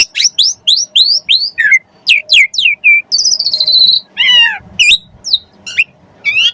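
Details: Jalak suren, the Asian pied starling, singing gacor with rich isian phrases meant to prompt other birds to sing; quick run of sharp upswept whistles, then a long buzzy trill and scattered chirps.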